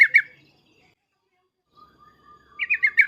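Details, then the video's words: Agitated Yellow-vented bulbul, its loud 'cukcuk' calls used to provoke other bulbuls into answering: two sharp bubbly notes, a quiet gap with a faint thin whistle, then a rapid run of four bright, slightly descending notes. "suara trucukan emosi cukcuk keras dan uplikuplik ini menjadikan agar burung trucuk gacor nyaut emosi"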